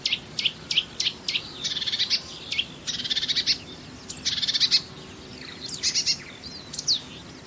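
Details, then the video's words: Marsh warbler singing a varied medley, a bird known for mimicking other species: sharp downslurred notes, dense buzzy trills, chattering bursts and a few thin rising whistles, delivered in uneven phrases. "VARIASI KICAU MARSH WARBLER"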